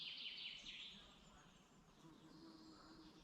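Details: Birds sing in the morning in a forest in the Dublin mountains, Ireland: a loud, high chattering trill in short bursts at the start, then softer distant chirps and a faint steady low tone.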